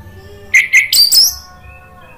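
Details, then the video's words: Orange-headed thrush, caged, as a singing lure: four quick loud notes, the first whistled, the later ones higher and harsher, followed by soft background hum. "PANCINGAN ANIS MERAH NGEPLONG merangsang BUNYI jadi NYAUT GACOR NGEPLONG"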